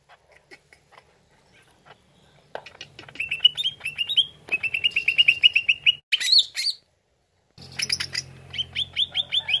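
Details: Greater green leafbird lure song: faint ticks building into quick, bubbly repeated whistled notes, a loud swoop, brief silence, then more rapid chattering phrases over a low hum.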